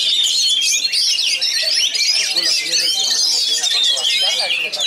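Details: Oriental magpie-robin (kacer) from Pasbar with a rich, fast, tightly packed song: dense high whistles, trills and sweeping notes pour out without pause, with lower chattering or voices underneath.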